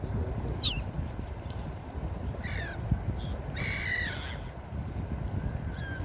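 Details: Beach gulls uttering a run of raucous, slightly falling squeals, a few in quick succession with one longer, strained cry, backed by continuous breaking-wave rumble.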